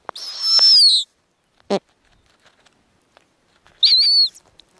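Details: Snowy owl nest in the Arctic during hatching, female feeding chicks: a long sliding, falling whistle, then a short low chirp, then a kinked, stepped squeal.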